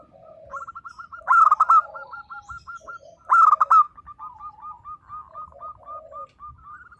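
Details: A local zebra dove delivers two loud, rolling coo bursts two seconds apart, each wrapped in rapid strings of soft, stuttering coo notes that continue to the end.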